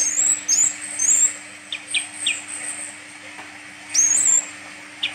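Olive-backed sunbird giving very high, thin, squeaky trills in short bursts, with softer sibilant chips between; a faint steady electrical hum runs underneath.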